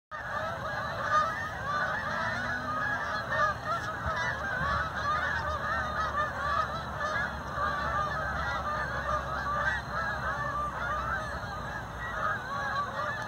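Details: Canada geese in flight just after taking off from a pond: a flock gives constant overlapping nasal honks, with many voices layered into a steady chorus.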